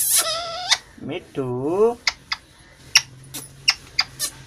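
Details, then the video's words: Pet parrot talking indoors: a high, clear, harmonic phrase, then a lower wavering syllable, with short sharp clicks scattered through the rest. Before and after, the phrase "me too" is repeated over and over, with music at the start. "Talking parrot"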